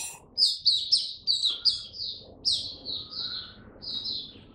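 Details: Kept Oriental white-eye on its first day returning to song. Sharp, bright opening chirps lead into a flowing, high twittering warble of short slurred notes that eases off toward the end.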